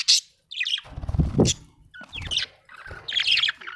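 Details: Happy budgie calling with squawky, sliding notes in short bursts, mixed with a deeper low rumble in the background.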